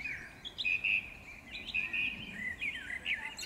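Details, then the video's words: Spring birdsong recorded in May 2016 in the Powsin botanical garden, Poland: clear sustained whistles and warbled phrases in quick succession, with fainter chirps from other birds in the background. "śpiew ptaków maj 2016"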